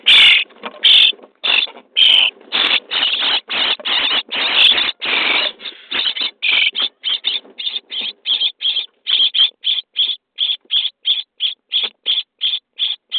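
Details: Common starling nestlings on day 23 in a nest box, being fed: rapid harsh, raspy hissing calls, crowded and overlapping at first, then settling into a steady series of about two short calls per second.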